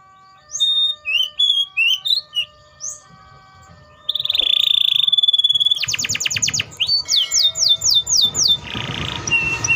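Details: Canary (Serinus canaria) song: a run of short high whistled notes and slurred chirps, a steady buzzy whistle, then a fast rattling trill and rhythmic repeated descending syllables, with a faint low hum underneath.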